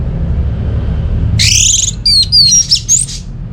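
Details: Orange-headed thrush, kept at home, giving a short lure phrase to set other birds singing: a harsh rasping note followed by several thin, high, sliding whistles.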